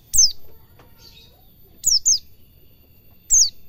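A white-eye gives thin, very high chirps that slide downward, singly or as a quick pair, every second or two over a soft low rumble.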